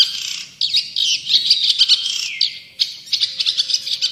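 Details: Long-tailed shrike (cendet or pentet) in full, active song, recorded as tutor and lure material for other birds. Harsh, scratchy chattering with dense buzzy bursts and sharp chips, broken by brief pauses.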